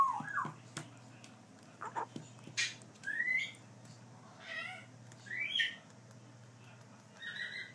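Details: Grey parrot chick cuddling up after hand-feeding gives a run of short, squeaky whistled calls that rise and fall, mixed with sharp clicks and taps, all over a constant low background hum.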